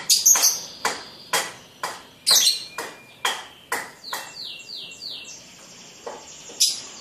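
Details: Ngekek from a young lovebird at the masteran stage: spaced, sharp, high chattering notes about twice a second, with a thin whistled tone running underneath midway.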